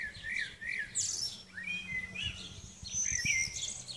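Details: Common swifts giving thin, high screams and shorter squeaky notes scattered across four seconds, some calls overlapping, with faint low rumble beneath.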